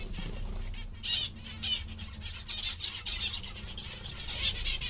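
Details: Cheerful zebra finches utter repeated nasal chirps in loose bursts, some sharp high ticks between them, with constant low background hum.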